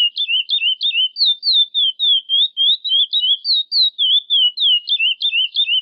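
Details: Chestnut-bellied seed finch singing the classic praia song used for training young birds: a continuous run of clear, slurred whistled phrases, rising and falling, each note repeated in quick succession with no other sounds.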